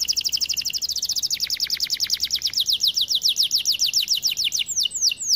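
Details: ['A white canary delivers a fast, even trill of high descending notes that shifts pitch partway through and closes with a few slower downward sweeps.']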